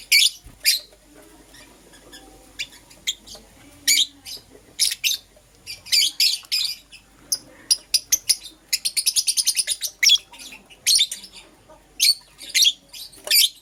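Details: Morning chirping from Green Personata and Yellow Pastel Pied lovebirds: piercing high notes scattered throughout, building to a rapid, rattling run of short chirps near the middle before steadier single squeaks resume.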